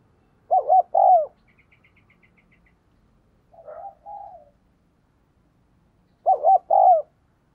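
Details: Spotted dove kept as a decoy coos fast to call in wild doves: loud paired quavering phrases open and close the stretch, with softer coos between and a faint high ticking sound.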